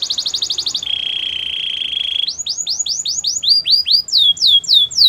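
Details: Belgian canary song running from a fast pulsed trill into a steady buzzing roll, then loud, looping arched notes in rhythmic series.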